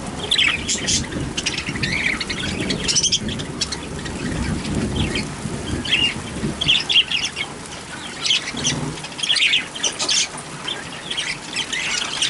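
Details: Budgerigar chattering steadily with short warbled chirps and squeaky notes, continuous throughout, over a constant rushing, rumbling background noise.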